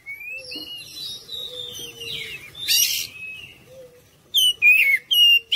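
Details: Oriental magpie-robin song played to entice other birds to answer: flowing whistled phrases with a harsh burst in the middle, ending in a quick set of loud, clipped whistles.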